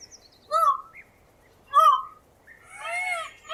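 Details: Indian peafowl call in 8D audio: two short, sharp, rising-falling yelps about a second apart, followed by a softer, drawn-out wailing note.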